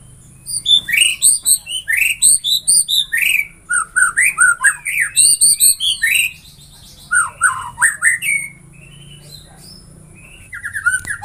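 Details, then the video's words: White-rumped shama in long, varied song, used to spur other shamas to sing: dense bursts of sharp high chips and swooping whistles for six seconds, then scattered rising and falling phrases with short pauses. "Semua jenis murai batu bakal gacor dengan suara ini"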